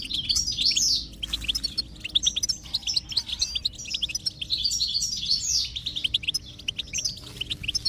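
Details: A goldfinch sings a lively twittering song of quick, bright chirps and short trills, used as stimulation for a silent goldfinch, over a soft continuous low drone.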